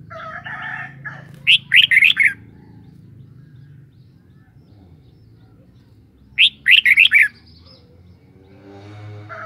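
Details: Red-whiskered bulbul giving two matching song phrases about five seconds apart, each a fast run of four sweet, slurred whistles, with harsh chatter and a low background drone between them.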